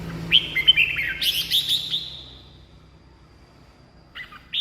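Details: Red-whiskered bulbul song meant to rouse caged birds or draw wild ones: a fast phrase of bright whistled notes merging into a busy burst, then quiet and a brief new note.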